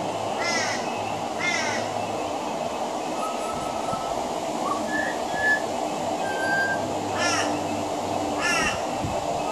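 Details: Pied butcherbird singing from a veranda, mixing mimicry of other Australian birds into its song: pairs of harsh, ragged calls at the start and end, with clear, level whistled notes in between, over a steady low hum.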